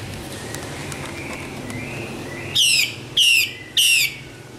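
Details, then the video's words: Female Chinese hwamei from northwestern Vietnam. Faint soft whistles come first, followed by three loud notes that fall sharply in pitch, spaced about half a second apart. "Hoạ Mi mái "Hay" nhất bản mường Tây Bắc"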